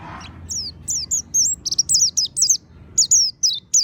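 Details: Monty-type oriental white-eye song used to coax birds into opening their beaks: after a soft low sound, lively high-pitched twittering of short downslurred and wavering notes in quick succession.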